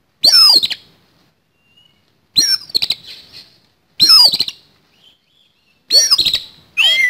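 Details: Oriental magpie-robin delivering a fighting song with a rough, harsh fill: four loud, buzzy bursts of sweeping high notes, each under a second long, spaced roughly two seconds apart, with near silence between them.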